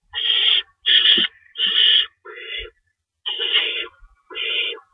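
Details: Night-time feeding at an owl nest, 3:53 AM on March 25, 2012, two rabbits in store: six raspy screech-hisses, three in quick succession, then a pause before three more.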